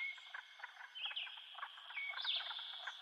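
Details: Light-vented bulbul feeding baby birds at the nest, giving short, sharp chirps and a few quick upslurred notes, over a steady high buzzing drone, likely insects.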